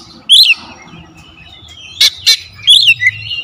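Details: Oriental magpie-robin (kacer) lure recording of rapid, dense song: loud, rich whistled phrases broken by two sharp, clipped notes, all in quick succession over a faint low hum.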